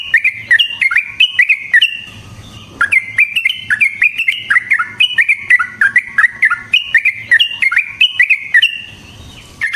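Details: Yellow-vented bulbul singing, intended as a lure for trapping; fast runs of gurgling whistled notes with a short break near the start and faint clicks.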